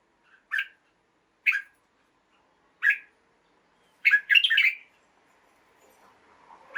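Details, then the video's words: Red-whiskered bulbul in a cage, song played in the morning to excite other birds: three spaced single chirps followed by a rapid tumbling warble, then faint low noise. "กระตุ้นนก ให้คึกคัก ยามเช้า เสียงร้องเสียงริกนกกรงหัวจุก"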